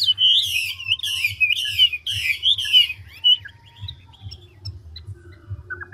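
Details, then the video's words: Old, wild-caught Chinese hwamei in ngũ trường style: five loud, buzzy, falling sweeps in quick succession, then sparse soft whistles and quiet notes fading out, over a persistent low hum. "Họa mi ngũ trường đảo giọng tốc độ"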